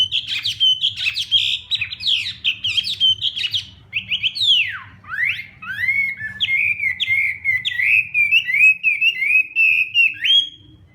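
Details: Hwamei morning voice-training song in contest style. Varied loud whistles and swooping slides open the song, which then settles into a long, even series of quick repeated notes, about one or two per second.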